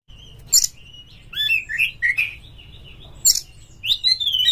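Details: Oriental magpie-robin used as a lure to make kacer birds sing in mating mood: loud whistled phrases, rising and falling slurred notes between harsh bursts, with pauses between phrases.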